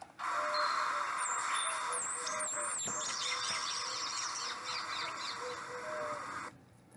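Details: Abert's Towhee pair (male and female) in Nevada give their squeal duet, a sign of their strong pair bond: a jumbled mix of high, thin squeals and chatters from both birds, overlapping for several seconds before stopping abruptly.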